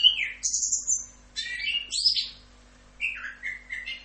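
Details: Full rock'n roll tutor song of an orange-headed thrush: a rising whistle, a thin high sustained note, loud sweeping warbled phrases, a pause, then lower rolling whistles, with a faint hum underneath.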